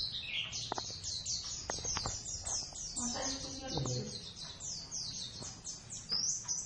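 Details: Two Javan oriental white-eyes duetting in practice of the ngeriwik style, a long dense chain of very high, quick, downward-sliding chirps. Faint murmuring and soft background noise sit underneath.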